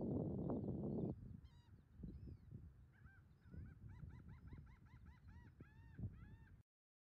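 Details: American oystercatcher at Sedge Island, Ocean County, New Jersey, on 30 August 2018, giving a rapid series of sharp piping whistles, about four a second, after an opening rush of wind noise.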